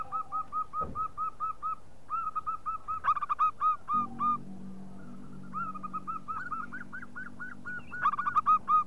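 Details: Local zebra dove used as a lure call: evenly spaced rounded coos repeated in long runs, some louder bursts, with a sharp knock and a stretch of low rumbling noise partway through.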